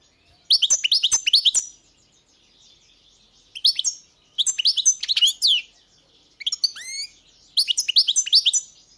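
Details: Bursts of high, liquid twittering from a European goldfinch, with quick descending chirps and one long downward-sweeping whistle, spaced by quiet gaps.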